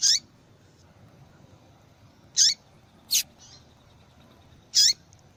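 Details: Female double-collared seedeater calling repeatedly, a sound used to stimulate male song and in female-call tournaments: four short, sharp, high chips with downward-sweeping tails, spaced about one to two and a half seconds apart, over quiet low background.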